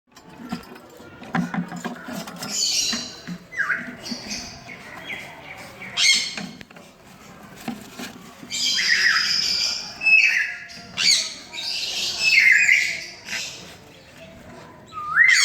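A young sun conure gives harsh, raspy squawks in rapid bursts, begging while being fed.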